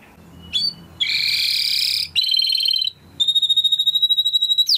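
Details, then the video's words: Timbrado canary training song in short bursts: a brief rising whistle, a dense buzzy roll, a lower rattling tour, then a fast pulsed high trill, with a faint low hum beneath. "Υour canary will sing UNSTOPPABLY"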